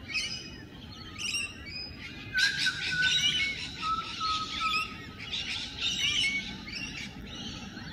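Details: Courting Rainbow Lorikeets in the wild, morning: a few scattered squeaks, then from the middle on a loud, dense run of grating, rasping screeches and chatter that eases off toward the end.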